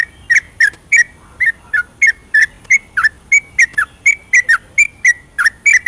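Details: Yellow-vented bulbul singing a long rapid ropel song at night, used to rouse lazy singers: bubbly, liquid whistled notes delivered about three or four per second in an uneven stream, with a faint high steady tone throughout.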